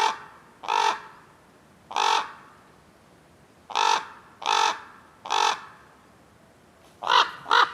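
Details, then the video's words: Harsh, raspy caws from Common ravens in wild acacia woodland, given singly or in quick pairs with gaps of one to two seconds, ending in a rapid double caw. "The sounds of Ravens"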